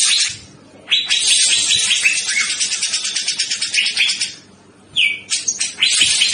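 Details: Grey-cheeked bulbul, male, Criniger bulbul locally called cucak jenggot, singing energetically: loud, dense, high chattering phrases of rapid warbled notes for about three seconds, a brief pause, then a clear whistled note and renewed chattering bursts.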